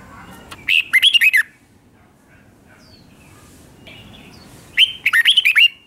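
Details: Red-whiskered bulbul kept caged, singing the doubled song used to train young birds: two short bursts of rapid, rising-and-falling whistled notes separated by a few seconds of near silence.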